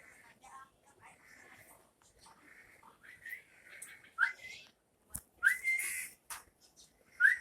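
A bulbul gives short, bright, rising whistled notes every second or two among softer chattering phrases, with a sharp click and faint room noise.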